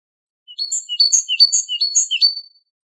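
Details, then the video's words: Great tit singing, recorded to tutor other birds such as goldfinches: a two-second run of ringing, high whistled notes in quick repeated three-part phrases. "تغريد طائر الحداد"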